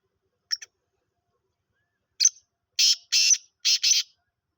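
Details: Five-month-old black francolin calling for the first time: two faint clicks, then a pause, then a run of four harsh, grating, buzzy notes in quick succession over about a second and a half. No other sounds.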